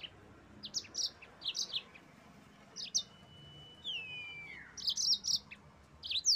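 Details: Yellow-fronted canary song used to provoke rival birds: short groups of high chirped notes with pauses, a long falling whistle in the middle and a dense chirping burst at the end.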